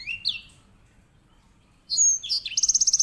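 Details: Edel sanger, or grey singing finch, used as a master bird for canaries, gives rising whistles, pauses, then bursts into a bright note followed by an even, rapid buzzy trill, with low background hum.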